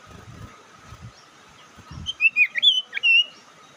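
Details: A few soft low thumps precede a quick sequence of sharp, twisting whistled notes and a longer wavering whistle. This is a lure call intended to agitate other birds.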